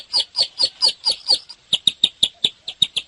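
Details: Bar-winged prinia in full song: six slightly slower, rounded high notes, a short gap, then a quicker run of crisper, sharper chips.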